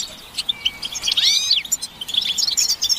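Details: Goldfinches, European, in group twittering meant to motivate song; quick metallic chirps followed by a clear arching whistled slur, then scattered tinkling notes from several birds.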